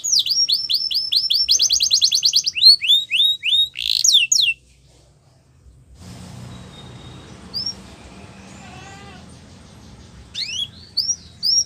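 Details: Yorkshire canary training song for young canaries: a burst of rattling trills and rising whistles for about four seconds, then near silence with soft background noise and a few scattered faint notes before short upswept whistles return.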